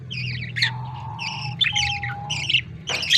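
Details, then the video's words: Budgerigar chicks fed by the male parent: repeated harsh, nasal squawks in quick groups, with a faint steady whine and low mechanical hum beneath. "Budgie is Australian chicks a baby feeding male"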